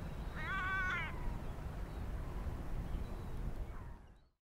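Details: A European herring gull, recorded in Świnoujście, Poland, on 27 September 2022, gives one wavering, nasal, cat-like mewing call, then a fainter call near the end over steady low rumbling background noise.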